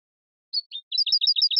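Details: Short excerpt of European goldfinch song, cleanly recorded: two soft introductory chirps, then a quick string of paired notes, a low chirp answered by a higher bright one, repeated five times. Quiet background.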